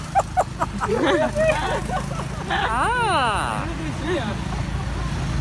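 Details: Common hill myna in Krabi, Thailand, talks: sharp clicks then rising and falling speech-like phrases mimicking human words like "hello" and "bye-bye", over a low traffic rumble.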